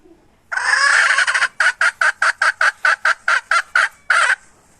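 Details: Hen, recorded in 2021, opens with a sustained raspy squawk, then a rapid run of roughly thirteen short, even, bursting clucks and a final drawn-out note, in a quiet setting.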